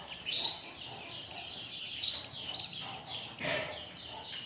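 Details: An Oriental white-eye sings a lure meant to make other birds sing: continuous high twittering of fast chirps and short whistled phrases, with a brief broad rustle or knock midway.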